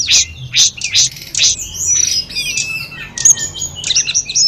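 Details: Wild hill prinia singing in mountain forest alongside trickling natural water: a run of short, sharp, high chirps repeated about twice a second, then thinner high whistled notes and a few quick closing chips over a soft low water murmur.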